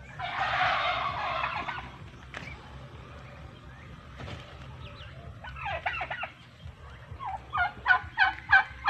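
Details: Farm male turkeys separated from the females: a rough, noisy burst opens, then sharp rattling gobbles break out near the end, rapid and stuttering, over a low background hum.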